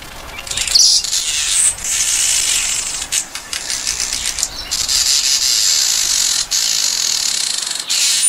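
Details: Village weaver chattering in a harsh, scratchy, sizzling run. Short whistled notes are mixed into the steady wheezing, and the sound is broken by a few brief pauses and clicks.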